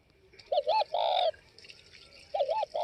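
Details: Spotted dove of the northwest Vietnam type gives a warbling two-note coo into a long held note, then starts another phrase. Higher chirping sounds and a steady hiss run underneath.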